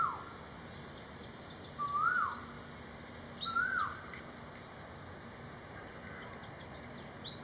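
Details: Malaysian pied fantail song: a few clear whistled notes, each rising then falling, spaced about a second and a half apart, with faint higher twitters in between over a quiet background.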